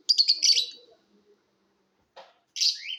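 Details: Lovebird chirping for competition: a short burst of rapid buzzy chirps, a quiet gap, a faint click, then a rising scratchy chirp with a sweeping upward note.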